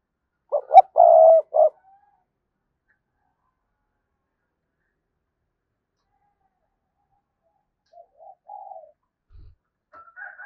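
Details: Spotted dove used as a lure bird, cooing to provoke wild doves into answering: one loud phrase of two short notes and a longer throaty coo near the start, then faint distant cooing after a long silence.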